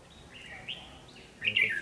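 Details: Red-whiskered bulbul singing during a fighting-song trapping session with a decoy bird in Vietnam, February 2016; quick whistled phrases that rise and slur downward, ending in a louder warbled flourish.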